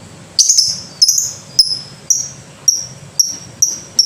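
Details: Lovebird repeating clear, piercing chips at a steady pace of roughly two per second, the opening notes slightly slurred and rougher.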